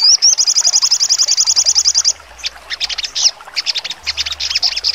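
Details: Shrill, rapid trill from a sogon singing sharply, about two seconds of evenly spaced high notes, then a sequence of abrupt, piercing chips.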